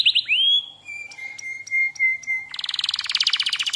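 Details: Canary song used as a lure and tutor track: a rising slurred whistle, a long level whistled tone, then an abrupt, loud, buzzy rapid rattle.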